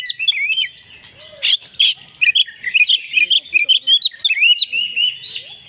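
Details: Oriental magpie-robin, a fighter bird, in persistent agitated song: loud harsh notes early, then a fast, near-continuous sequence of short whistled and chirped notes.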